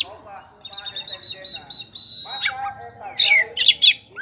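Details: Champion Oriental magpie-robin of the poci type singing in the ngeplong style: a run of short repeated high whistled notes, then a long sustained buzzy note and sharp rising chips, with lower tonal sounds underneath.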